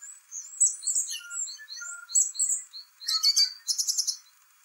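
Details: Spring song of a song thrush, Turdus philomelos: a complicated run of high sliding whistles and short repeated notes, ending in a burst of harsh, rapidly repeated chattering.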